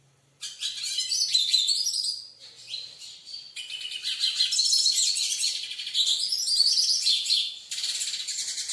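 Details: European goldfinch (Carduelis) squabbling with a nail on the wall, giving a fast, high, tinkling twitter of liquid notes and buzzy trills in bursts with brief pauses; nothing else is heard.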